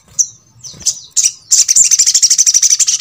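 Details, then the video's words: High notes from a little spiderhunter, known locally as sogok ontong, used to get others of its kind singing: a few separate piercing chips, then a fast, even string of about twenty sharp high notes. "MALAS BUNYI ?? MASTERAN SOGON ( sogok ontong ) BAHAN AGAR RAJIN BUNYI"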